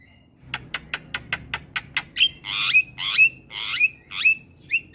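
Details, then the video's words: Black-winged myna masteran for training young mynas: evenly spaced sharp clicks, then loud harsh rasping squawks each ending in a thin whistle, about two per second. "Jalak Kebo Gacor Masteran Bikin Burung Jalak Muda Jadi Pintar Berkicau"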